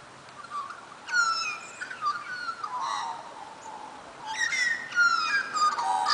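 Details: Australian magpies at Dimboola, Victoria, Australia, carol in rich, fluty, yodelling phrases that slide downward, in two bursts separated by a brief lull, with a faint background hiss.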